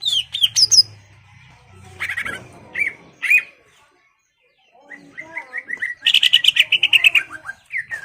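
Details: Caged greater green leafbird singing to rouse a rival to fight: scattered whistled notes and harsh bursts, a short silence, then a descending series of thin slurred whistles leading into a rapid rattling trill and a final slur.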